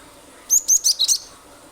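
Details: Cinereous tit (glatik batu) singing in a lively, energetic way, a lure to draw song from other birds; four or five sharp, very high whistled notes in quick succession, each slurring down, over faint background hiss.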